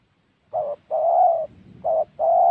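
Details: A spotted dove, recorded while being trapped in the Central Highlands forest of Gia Lai, Vietnam, gives two paired coos. Each pair is a brief mellow note followed by a longer, steady, slightly wavering one.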